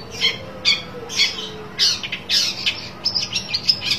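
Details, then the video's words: Long-tailed shrike seeking an opponent: spaced grating squawks at first, then a quicker run of shorter scratchy notes toward the end, with a soft steady hum behind. "burung pentet cari lawan"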